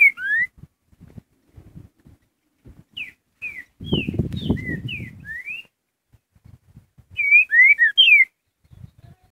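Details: Green-winged saltator singing the curricutil song type: clear, slurred whistled notes given in short groups of two to four, rising and falling, with pauses between groups. Soft low thumps and a burst of rustling noise sound in the middle.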